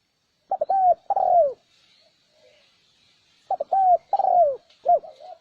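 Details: Wild-dove lure of a spotted dove: two phrases of soft clipped coos leading into a long, gliding, downward coo and a short final note. Faint hiss in the background.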